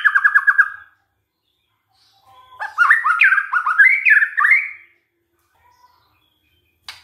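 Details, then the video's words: Shama lure song to get other white-rumped shamas singing: a quick series of repeated short notes, a pause, then a varied phrase of looping whistles, ending with a sharp click. "DICOBA PANCINGAN MURAI INI, pasti murai tak tahan diam"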